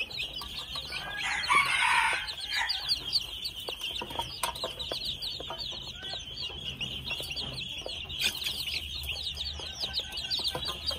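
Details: A group of two-month-old red junglefowl chicks keeps up rapid, high, descending cheeps, roughly three a second, with a rougher louder sound near the start and scattered soft clicks.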